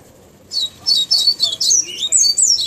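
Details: Tawny-bellied seedeater singing, a rapid run of high thin twittering and sliding whistled notes, some rising and falling, over a steady low background hiss.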